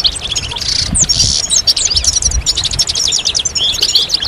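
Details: Group of European goldfinches in full song, played to encourage males to sing and finish moulting; bright, rapid tinkling phrases and sharp rising chirps pile up almost continuously, with faint low noise.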